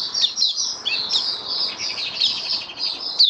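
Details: Mata puteh, a caged white-eye, singing on 23 March 2022 as its diet is adjusted for humid warmth; high, run-together twittering with jittery slurred notes and a soft low room hum beneath.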